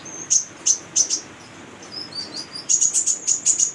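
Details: High, piercing chirps from a female brown-throated sunbird in lively 'gacor' voice, kept to coach young birds: a few spaced sharp notes, a soft lower twitter, then a fast run of bright repeated tsip notes.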